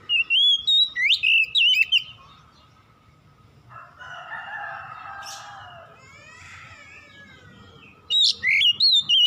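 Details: Oriental magpie-robin at dusk: bursts of loud, sharply modulated whistled notes open and close the stretch. Between them, a lower, harsh, harmonic call rises and fades, with faint rustling.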